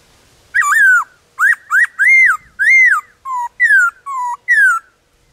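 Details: Wild black-throated laughingthrush pouring out varied song in its forest home. About ten loud whistled notes in quick sequence: arched slurs, doubled upsweeps, then alternating low level whistles and bright falling ones.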